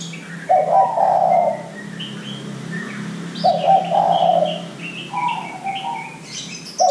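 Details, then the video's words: Spotted dove cooing as a lure for young doves to start sounding: two strong, rough low coos about three seconds apart, followed by a softer phrase, over faint hum and small-bird chirps. "Pancingan Derkuku Muda Agar Cepat Bunyi"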